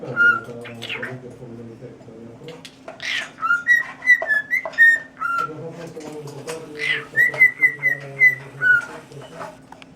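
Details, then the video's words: Pet cockatiel whistling the tune "Tequila": two phrases of clear, pure whistled notes, short sliding notes that step up and down, each ending in a quick run, with brief rasping chirps between phrases and a low background hum. "the cockatiel singing "Tequila""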